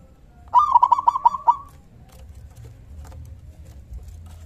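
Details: A local zebra dove calls in strong voice to make other doves answer. A single burst of about six quick, bubbling cooing notes, followed by quiet background.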